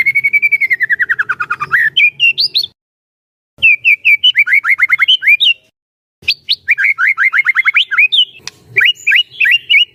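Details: Trainer recording of a caged white-rumped shama to make other shamas sing: a fast descending trill, then bursts of rapid, sharp downslurred whistles separated by two short silences, ending in varied bright chips.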